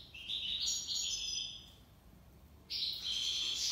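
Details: European goldfinch, locally mqnin, singing the tiwawati and lipassade styles: long, thin, sustained whistles rising in steps, a pause, then a brighter buzzy trill, over steady background hiss.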